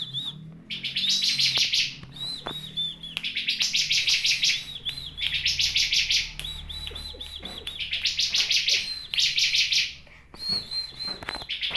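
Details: Bar-winged prinia song of repeated bouts, each a rapid buzzy, trilling chatter followed by thin wavering whistles, the bouts recurring every two to three seconds over a soft low background hum.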